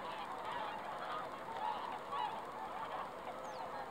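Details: Foggy lake with swans, December 20, 2016: a softer murmuring chorus of honks with a few distinct calls rising briefly above it, plus one thin high note near the end.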